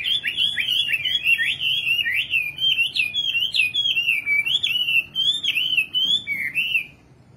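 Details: A nightingale sings one long unbroken warble of high, wavering, looping notes lasting about seven seconds, fading out at the close.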